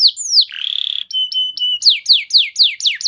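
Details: Canary singing a lure phrase meant to prompt training birds into long song: one falling sweep, a buzzy rattle, short flat whistles, then a row of rapidly repeated descending slurred notes.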